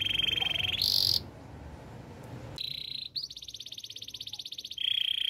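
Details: Male canary singing: a long steady trilled tour, then a gap of near silence, followed by a rapid pulsed roll of even repeated notes and another sustained high trill.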